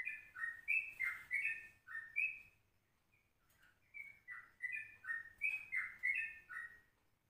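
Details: Yellow-vented bulbul at 04:30 in the morning, recorded as a lure and as ropelan-style tutor song. Two lively runs of quick, slurred, bubbly notes are separated by a short gap, with a soft low hum underneath.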